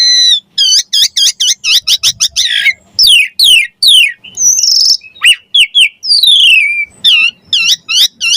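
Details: Javan pied starling in lively song for training songbirds, delivering fast runs of sharp, repeated whistled notes, buzzy trills and long downward-sweeping whistles in energetic bursts.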